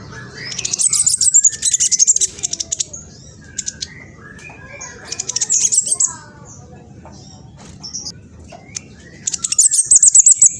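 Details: Juvenile speckled mistletoebird in East Java, Indonesia, with a rapid, harsh lure song to trigger other birds. It sings in three dense bursts of high, fast chittering, with soft slurred notes in between.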